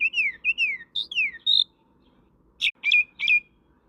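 A common myna gives six quick, clear whistles sliding downward, then after a short pause three harsh, rasping squawks.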